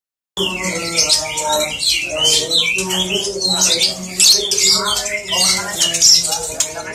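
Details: White-rumped shama (murai) in the antik ala MBRK song style: a rich, varied run of bright whistles, quick slurred notes and chattering phrases over a steady low humming, tonal background drone.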